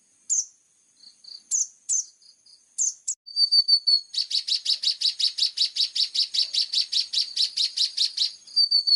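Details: Singing plain-throated sunbird (kolibri ninja), clear voice: a few separate high sharp chirps and thin whistles, then a long, rapid series of loud, identical high chirps about four per second, closing with a thin whistle. No background sounds.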